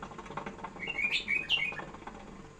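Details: Tame pet bulbul giving a short run of slurred, warbled whistles in the middle, rising and falling in quick succession over a low steady indoor hum.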